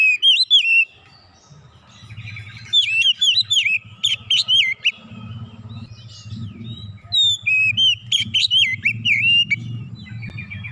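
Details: Oriental magpie-robin pressing on with its isian repertoire: loud slurred whistles and clipped chirps in bursts separated by short pauses, over a steady low hum in the background.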